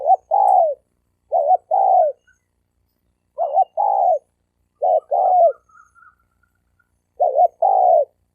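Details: Paired challenge coos of wild-caught male spotted doves, each a hooked short note and a longer descending coo, given at spaced intervals. A brief high twittering note appears once between phrases.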